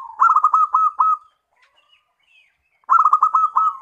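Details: Zebra dove, local type, singing a lure to prompt replies from other doves: quick bursts of six or seven stuttered coos separated by a pause of over a second.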